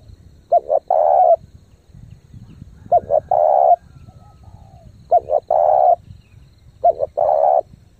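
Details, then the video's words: Lure spotted dove giving rapid thúc gù cooing. Each phrase has two quick clipped notes and a sustained coo, repeated about every two seconds over steady low background noise. "chim cu gáy thúc gù tốc độ căng lửa kích mồi tập bổi cực mạnh"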